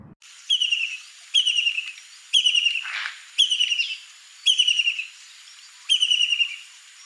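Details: White-throated kingfisher giving rapid trilled phrases, each sliding slightly downward, repeated about once a second; six bursts in sequence against a clean, quiet background.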